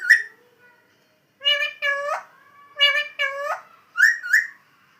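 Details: Parrot mimicking speech: an opening whistle, then two pairs of clipped, buzzy word-like syllables, closing with two rising whistled notes.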